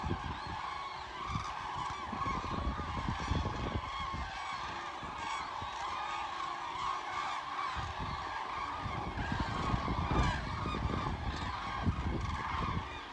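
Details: Common cranes by the thousands passing southward over the Hessian Wetterau at Bad Nauheim on 22 October 2022; loud continuous chorus of rolling, trumpeting calls from the migrating flock, with low rumbling noise beneath.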